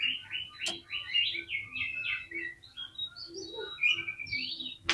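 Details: Oriental magpie-robin (kacer) in full, energetic song meant to provoke other kacer into reacting. Quiet, fast run of varied chirps and short whistled phrases, with a faint low hum beneath.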